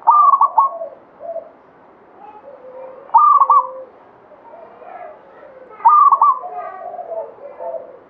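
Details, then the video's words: Actively singing local zebra dove of the Banyumili katuranggan type. Three loud, bubbling coo phrases fall roughly three seconds apart, with lower, softer cooing from other doves between them. "SUARA PERKUTUT LOKAL KATURANGGAN BANYUMILI GACOR"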